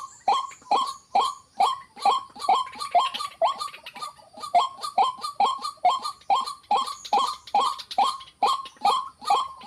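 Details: Repeated croaking calls of a white-breasted waterhen: abrupt, harsh, downward-sweeping notes delivered over and over at a fast, fairly regular pace of a little more than two per second throughout.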